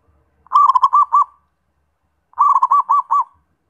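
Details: Two crisp zebra dove phrases, each a quick stutter of notes easing into four or five evenly spaced, rounded coos, about two seconds apart in a quiet setting.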